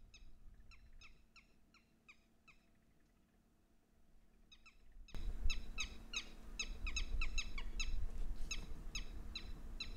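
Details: Red-wattled lapwing, or titeeri, in Haryana, a common breeding resident of open areas and wetlands. Rapid bursts of sharp, ringing notes give way to a quiet gap, then a louder, dense run of repeated calls.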